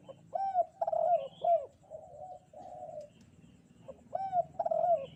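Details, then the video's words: On a bright morning, a spotted dove delivers clusters of curved coo notes, then softer level coos and another loud burst, with a light background hiss and occasional high bird chirps. "Di pagi hari nan cerah ☀burung derkuku kuk 2 gacor"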